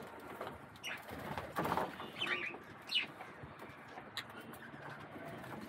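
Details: Budgerigars bathing and jostling over the water give short, scratchy chirps and warbled chatter at an uneven pace, over splashing water and background hiss.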